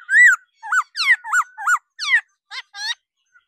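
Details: Female laughingthrush calling 'ro ro' to excite males into singing: a loud arched whistle followed by a series of short clipped notes, each sliding downward, spaced about every third of a second.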